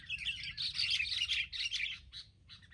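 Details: Wild Sooty-headed Bulbuls gang up boldly on a trapping setup and give a busy run of harsh, chattering chirps, several birds calling over one another in bursts with brief pauses.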